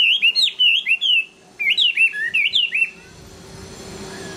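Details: Chinese hwamei singing late in the afternoon: two quick bursts of repeated clear slurred whistles, each note swooping up then down, separated by a short pause, followed by quiet background hiss.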